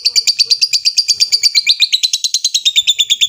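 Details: Long ngekek of a lovebird calling a rival: a fast, even run of piercing chattering notes, each a sharp high chip, continuing unbroken and dipping slightly in pitch partway through.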